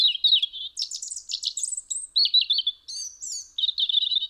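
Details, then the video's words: Winter song of a European robin at a house window, Eibar, Gipuzkoa, December 2019: a dense, continuous cascade of high warbles, quick trills and thin whistled notes shifting in pitch throughout. "Txantxangorria (Erithacus rubecula)"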